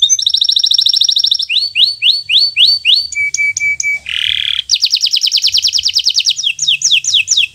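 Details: Local green canary (bottle-green colour) singing as a master recording for young birds learning to sing: loud varied phrases, fast trills, repeated rising-falling sweeps, steady flat whistles and a harsh buzzy burst, all high-pitched.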